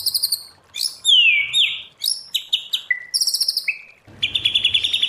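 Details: Wild-voice white-rumped shama song for training: clipped trills, a loud whistle slurring downward, sharp short notes, a flat lower whistle, ending in a rapid pulsed series of high notes.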